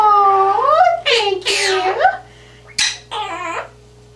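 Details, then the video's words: Captive male Quaker parrot talking while nestled in a person's hair indoors: bending, harmonic, voice-like phrases, a sweeping rise then a sharp high squawk, then quiet room sound. "Quaker Parrot Talks and Sings"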